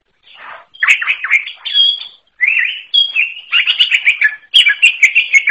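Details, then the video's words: An unusual song of the greater green leafbird from the forest: varied chirps, a clear high whistled note and dense rapid twitter in several bursts. "KICAU UNIK CUCAK IJO ALAS"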